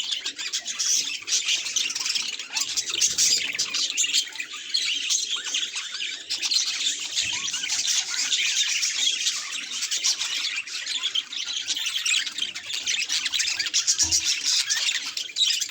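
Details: Budgerigar chirping at its mirror reflection, a long stretch of busy, scratchy warbling chatter mixed with harsh squawky notes, steady and unbroken, with a brief low thump near the end.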